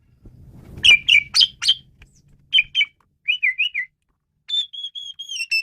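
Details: Asian pied starling singing, a recording meant for tutoring other songbirds: loud clipped whistles over a low rumble at first, then wavering warbled notes and a steady series of thin, level whistles.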